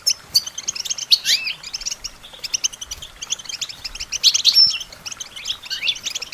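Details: European goldfinch singing, recorded for training songbirds: fast tinkling twitter of high, sharp chirps and short rising slurs, near-continuous with brief pauses, clear and unaccompanied.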